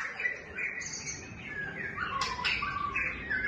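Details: White-rumped shama song of fluty whistled notes alternating with quick downward slurs and a couple of sharp, crackling accents, delivered in a lively, uneven rhythm.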